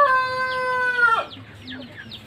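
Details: Pelung rooster with very long wattles: the tail of a crow, a steady, strongly harmonic tone held about a second before dropping sharply, then quieter scattered sounds in the background.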